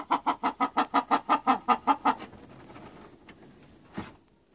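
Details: Chickens giving a fast run of about a dozen even, throaty clucks over two seconds, then falling quiet, with a faint hiss and one soft knock near the end.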